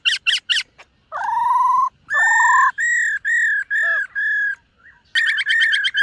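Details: A silver-eared laughingthrush sings while training its voice in the morning, opening with three sharp high notes, then loud sustained whistled phrases of even pitch, one brief dipping note, and a final burst of rapid buzzy notes.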